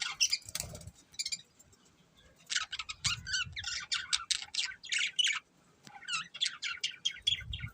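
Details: Pet budgerigar breeding pair giving harsh squawky chirps and rapid chattering notes in clustered bursts, with short pauses between runs and a few low thuds.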